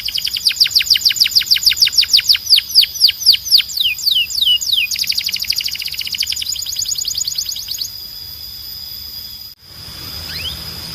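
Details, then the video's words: Belgian canary song for training birds, strong and clean: long tours of falling whistled notes, about three per second, giving way to rapid high trills that fade and stop, then a single faint rising note. "Super Coleção Canário Belga Cantando 2026 🔥 Canto Forte e Limpo Para Treinar Pássaros"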